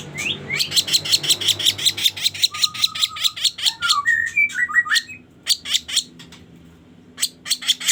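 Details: Sooty-headed bulbul lure recording for trapping: rapid buzzy chips give way to clear whistled notes, some level and some gliding up, then scattered harsh notes resume after a brief lull.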